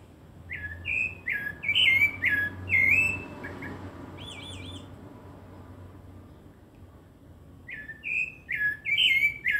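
A rufous-bellied thrush sings rich, fluty whistled phrases in bursts, pausing mid-song for a softer wavering trill before resuming, over a low background hum.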